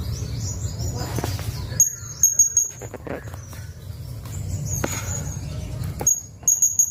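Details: Blue-crowned hanging parrot, known locally as serindit, giving sharp, very high thin tseet notes in short bursts of three or four, with quiet low background rumble.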